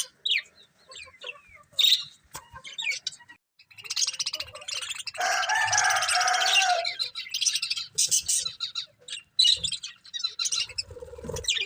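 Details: Colourful budgies giving scattered sharp chirps and short whistles, with a sustained burst of buzzy, grating chatter in the middle.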